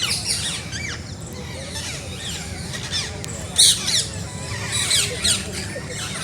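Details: Parrots in a natural setting keep up a busy flock chorus of sharp, high squawks and chirps, with louder harsh outbursts partway through and near the end, over a steady murmur of more distant calls.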